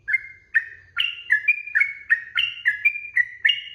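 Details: Fast ropel song of a sooty-headed bulbul, a master recording for training birds: a dense series of ringing whistled notes at alternating pitches, each with a sharp attack and brief level tail, around three per second.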